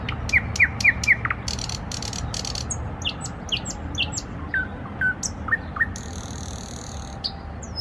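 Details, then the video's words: Nightingale trills open with four quick descending whistled notes, then dense rattles, a string of rising and falling slurs, and a long scratchy buzzing phrase near the end, all against a low steady background hum. "Nightingale trills / Соловьиные трели"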